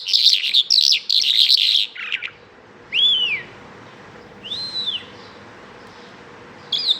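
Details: Bimaculated lark opening with a dense, scratchy burst of rapid chirps, followed by two separate clear arched whistles with long pauses between them and a final short chirp; a faint low hum continues throughout.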